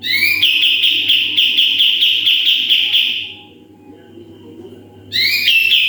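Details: Sooty-headed bulbul singing actively in rapid-fire 'tembakan' style, used as a model for training birds: a long, fast, buzzy high trill for three seconds, a pause, then a rising burst into another trill, with a faint background hum.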